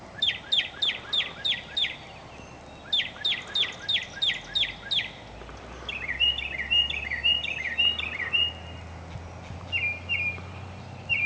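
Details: Mockingbird singing: a phrase of sharp, bright notes repeated about seven times in quick succession, then repeated again, followed by a run of twittering slurred notes and short whistles, with faint low background rumble.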